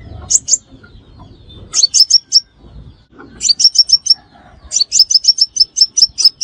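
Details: High, piercing chip notes from a crimson sunbird played as a lure for trapping, rising in number from a short pair to runs of seven or eight notes.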